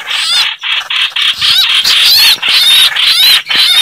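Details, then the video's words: Chao chảo bird calls used to lure birds into traps: dense, harsh chattering bursts repeated about twice a second, with thin rising and falling whistles above and a brief gap near the start. "Tiếng Chim chao chảo"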